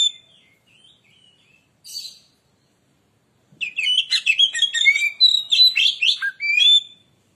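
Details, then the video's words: Oriental magpie-robin (kacer) in lure-song mode: soft scattered whistles and a brief harsh note at first, then after a pause a loud, fast torrent of varied whistles, trills and chattering phrases lasting about three seconds. "burung Kacer pancingan suara"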